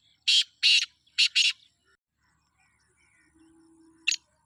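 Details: Sindhi black francolin in jungle, four loud scratchy notes in two pairs, then faint background chirps and a low hum before one more short harsh note.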